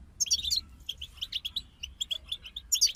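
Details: European goldfinch group song meant to motivate songbirds: a bright, tinkling trill opens, followed by a string of separate clear chirps, then another loud twittering burst at the end.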